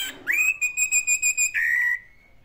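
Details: Orange-headed thrush, locally anis merah, in classic style. A long, steady whistled note is held while pulsing rhythmically, then a second, lower whistle slides gently downward and fades.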